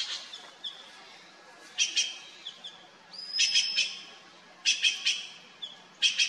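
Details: Red-billed blue magpies, a noisy trio raiding fruiting wild pear trees in hills near Mussoorie, India; clusters of harsh, rasping squawks in short bursts, with a high thin whistle between them.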